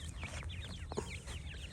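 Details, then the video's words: Brief burst of francolin chick calls: a handful of high, curling peeps spaced loosely, one sharp click near the middle, over a low rumbling background. "تیتر کے بچے اور مست آواز"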